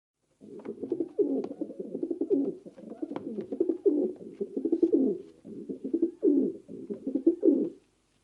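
Pigeons coo in low, throaty, rolling bursts that overlap almost without pause, several birds murmuring together in an enclosed space.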